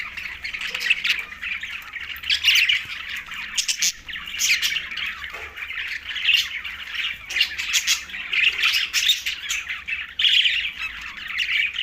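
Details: Green budgerigars keep up a dense, continuous warbling chatter of scratchy, squawky notes, rising and falling in loudness with short louder bursts throughout, several birds overlapping; no other sounds stand out.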